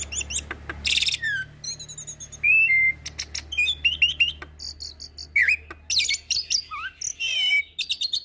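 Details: Mixed masteran track of Asian pied starling, Nias hill myna and a Nias x Suren hybrid starling. Dense, varied song with whistles, buzzy bursts and chatter over a steady low hum.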